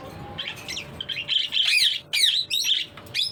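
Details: Parrot chattering in quick, uneven bursts of high, scratchy chirps and squeaks, some rising and falling, about two per second, in a quiet indoor setting.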